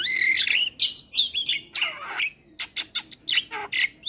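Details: Gacor Javan myna song used as therapy for mynas that stopped singing: loud, raspy squawking phrases with slurred whistles, then spaced sharp clicks and chattering notes.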